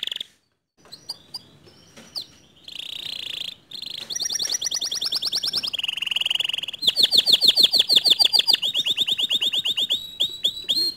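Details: Canary song played to provoke a lazy, quiet canary into singing steadily (gacor): long sustained rolling trills at high pitch, switching between fast buzzy tours and metallic repeated notes, with short whistled phrases near the start.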